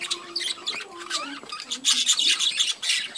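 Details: Chattering budgies in a breeding colony: wavering warbles and low whistled slurs at first, then loud scratchy squawking bursts crowding together toward the end.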